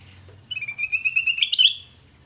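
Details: Black-crested bulbul (kutilang emas) in full song, played as a lure to attract other birds: a rapid string of clear, warbling whistles climbing slightly in pitch, ending with a sharper high flourish.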